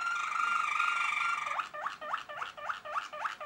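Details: Malinois Waterslager canary song: a sustained rich rolling trill, then liquid gurgling notes repeated about three to four times per second in a steady rhythm.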